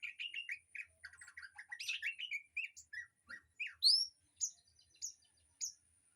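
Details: Aviary birdsong meant for teaching a white-rumped shama: jumbled chattering notes, then clear slurred whistles and a few loud sharp upward-flicked calls spaced about half a second apart.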